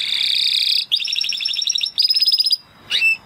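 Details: Spanish Timbrado canary singing: a continuous bubbling trill, then a faster rattling roll and a short pulsed burst, ending with a single rising chirp after a brief silence.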